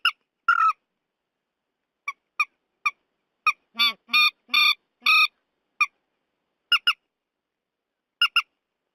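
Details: Purple swamphen, from a night-netting lure recording, giving a varied series: sharp single squawks, then several longer, lower wailing honks in the middle, then scattered squeaky double notes. Nothing else audible.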